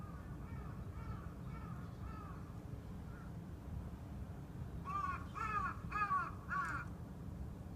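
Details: Crow calling 'kaa' nearby, making a pet budgie freeze: faint hoarse caws early on, then four loud, harsh, arched caws in quick succession near the end over low steady background rumble.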